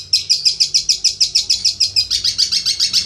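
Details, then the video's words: Prize-winning long-tailed shrike from national contests delivers a steady, rapid train of high, buzzy notes, about three each second, which quicken and blur together near the end. "Video suara burung cendet jawara Messi"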